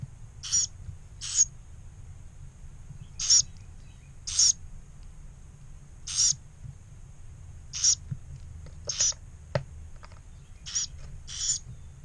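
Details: Two surviving Carolina wren (Thryothorus ludovicianus) nestlings in a disturbed nest in a pump-house, 1 May 2018, beg with short, harsh hissing bursts, about ten in twelve seconds, minutes after mealworms were placed.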